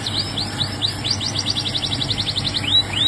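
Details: Canary song: a run of slurred notes speeding into a fast, even trill of repeated high syllables, ending with two rising whistled notes over a faint low hum.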